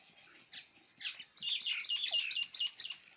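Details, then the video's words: Batair, the quail kept and farmed in Punjab, Pakistan, giving its kirk call: a few scattered high chirps, then a dense, scratchy run of rapid high notes lasting nearly two seconds. "batair sound"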